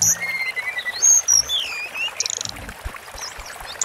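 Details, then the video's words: Sunda forktail song for masteran training: long, wavering, thin whistled lines and descending slurs, then a buzzy high burst and a run of rapid soft ticking notes. "BURUNG TLEDEKAN GUNUNG MASTERAN DURASI PANJANG"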